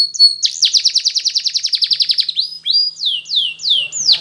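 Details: Canary singing as training material: a brief whistle, then a long even trill of about twenty rapid rolling notes, followed by several clear downslurred whistles repeated at a slower, steady pace.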